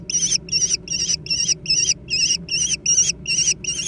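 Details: Young American kestrels fighting over food: shrill, squealing two-toned notes repeated steadily about two and a half times per second, with a faint low hum beneath.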